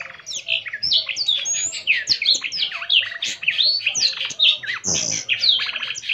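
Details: Singing vigorously until its wings open, a blackthroat gives a long, dense medley of fast, high chirps and downslurred whistles with a short buzzy burst near the end and faint clicks.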